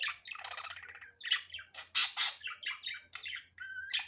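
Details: Natural sound of a budgerigar, unedited: buzzy rattling chatter opening into loud harsh squawks, followed by quick chirps and a short whistled note near the end.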